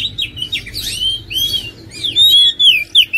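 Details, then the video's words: Oriental magpie-robin song: varied whistled phrases, sliding and curving notes mixed with short chirps, delivered in quick irregular bursts with brief pauses. "PASTI TERPANCING EMOSI DENGAN KICAUAN INI LANGSUNG KONCER"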